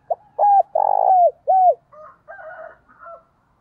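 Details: Decoy spotted dove calling in captivity to draw in wild birds: a brief note, then loud falling coos, one long and vibrating, followed by softer, fainter cooing phrases trailing off.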